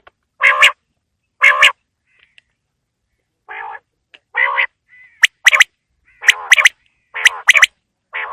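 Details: A quail calling on a winter evening gives loud, harsh, rasping bursts, often in pairs, about once a second with uneven gaps, plus a few thin whistled notes.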